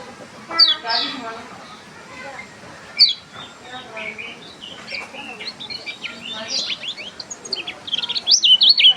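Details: Unusual song from a lemon-bellied white-eye, mixing scattered high chirps and slurred notes, building into a fast, loud, jerky twitter near the close; soft background noise throughout.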